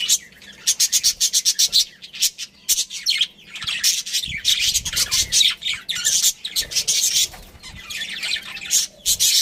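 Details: Caged budgerigar breeding pair chirping rapidly, a dense run of high scratchy notes and chatter, pulsing in quick repeated bursts with little pause throughout.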